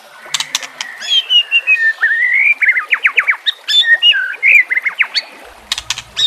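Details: White-rumped shama song for training captive birds: a continuous flow of warbled whistles, quick slurred notes and sharp clicks, varied and melodic, with a faint low hum near the end.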